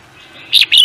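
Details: Songbird whose voice is entered in singing competitions, with winners fetching higher value; two short, bright chirped notes in quick succession, the first slightly longer and dipping, over a quiet background.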